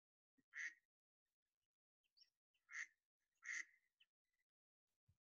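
Mallard quacking: three loud, harsh, nasal quacks spaced about a second apart, with a few softer grunts between, otherwise quiet.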